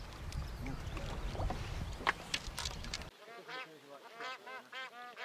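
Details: Bar-headed geese on migration in Pakistan give rapid, overlapping nasal honks, several per second, after a few seconds of wind-like rumble and noise.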